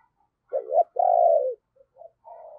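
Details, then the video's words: Morning cooing of a decoy spotted dove luring wild birds: a short doubled note then a sustained, gently falling hollow coo, after a brief pause a few faint coos and a softer drawn note. "cu gáy - Chim Cu Mồi Thúc Và Gáy Gọi Bổi, Dùng Kích Bổi Vào Buổi Sáng Rất Hiệu Quả"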